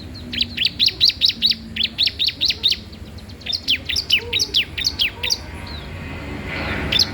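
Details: Bar-winged prinia in lively song, used to tutor or lure other birds: long fast runs of sharp descending high chirps in rhythmic trains, a brief pause, then a final note amid light background hiss.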